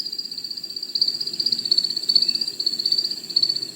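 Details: An American Woodcock in its courtship display flight gives a steady, high, rapidly pulsing twitter held at one pitch throughout, over a soft low rumble; the male spirals down mewing and chirping, lands, and repeats the display.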